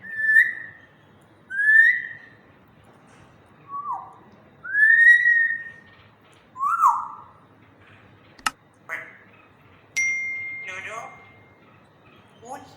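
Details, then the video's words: African grey parrot, kept as a pet, talking in a slow voice in a happy mood indoors: a series of clear whistled notes, some rising and some slurring down, about one every one and a half seconds, with a sharp click and a brief steady tone. "African grey talking in slow voice"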